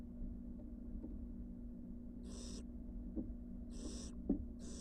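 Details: Wild barn owl nestlings back in their nest box after time on the porch: three harsh, breathy hisses in the second half, each under half a second, over a steady low hum.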